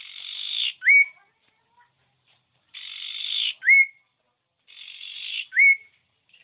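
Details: Common iora, known locally as sirtu or cipow, played to goad quiet birds into song: a harsh, buzzy rattle ending in a sharp upslurred whistle, repeated three times about every two seconds.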